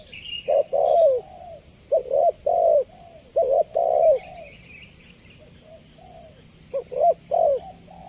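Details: Spotted dove cooing in phrases of clipped short notes and a longer falling coo. A quieter stretch of soft coos follows before the calling resumes more loudly. A constant high-pitched hiss is in the background.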